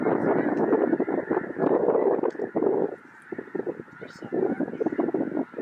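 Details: Thousands of Snow Geese arriving from the Arctic stream in and land in a cornfield in Illinois near the Indiana border, a dense clamor of overlapping honks and yelps with a brief lull midway.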